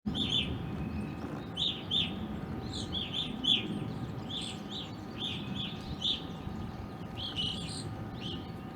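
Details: Evening grosbeaks visiting a backyard in Ohio, where they are uncommon, from winter into April: repeated short clear chirping calls from several birds, steady hum and low background rumble underneath.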